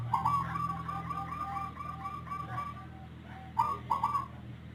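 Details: Zebra dove of the Rondosemoyo type, with an unusual voice unlike local or Bangkok birds, which coos often, at length, and often before dawn. It gives a long run of soft, bubbly, evenly repeated notes, then two louder rolling notes near the end, over a low steady hum.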